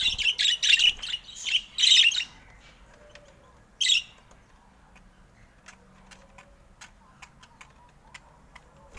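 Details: Pet budgerigar playing with its owner: a few loud scratchy chirps in quick succession, one more after a pause, then faint clicks and tapping.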